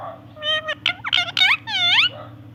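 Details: Talking parrot saying "I love you" and "good morning": a run of rapid speech-like syllables with sliding, wavering pitch, the last one long and drawn out, over a steady low hum.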